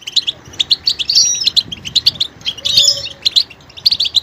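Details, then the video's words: Varied goldfinch song mixing vocal details: evenly spaced sharp chirps, a quick slurred twitter, then a tangled burst of thin, jangling notes and renewed clipped tweets. "motivational ringtones that will take you on a journey with goldfinch"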